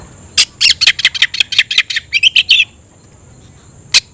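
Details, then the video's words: Oriental magpie-robin (kacer), kept bird, singing to call a rival to a fight: a steady run of about a dozen harsh scratchy notes, then a pause and one last rasp. "kacer gacor‼️kicau burung Kacer gacor memanggil lawan tarung"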